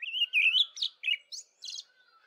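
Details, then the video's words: Olive thrush in early spring dawn chorus delivering a quick warbled phrase of whistled slurs, rising notes and a buzzy high flourish at the end, with a faint lower background tone. "Olive Thrush singing"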